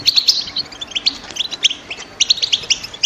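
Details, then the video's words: Female European goldfinches, eager to mate and lay eggs, calling in a cage to stir a male into song before the breeding season: dense, overlapping bright chirps and short twitters over a steady background hiss. "بتبتة الإنات لتحفيز حسونك و كسر صمته وجعله يرقص من الغناء"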